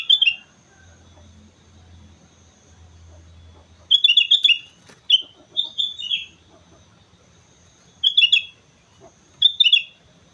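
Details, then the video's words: Energetic song of a sooty-headed bulbul on Mount Slamet: short, liquid, bubbling phrases repeated after silences of one to three seconds, with a low droning hum early on. "suara burung kutilang gacor gunung slamet"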